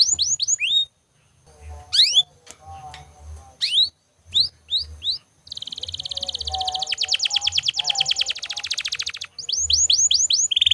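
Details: Canary song meant for training other birds: bursts of sharp falling whistles separated by pauses, then a long fast buzzy trill lasting several seconds, ending in more quick descending notes; faint low hum behind.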